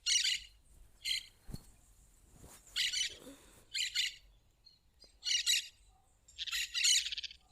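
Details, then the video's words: Plain parakeet in the wild, singing in harsh, buzzy, high-pitched bursts of about half a second, five or six bursts separated by pauses, over a quiet background with a few faint knocks. "canto do periquito rico na natureza"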